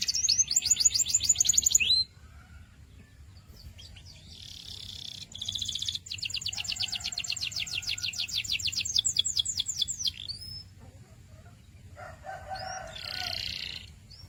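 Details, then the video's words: Canary song: a fast rattling trill, a pause, then buzzy notes leading into a long, evenly repeated whistled roll, followed by a later softer buzzy phrase. "Sweet Canary Chirping Sounds"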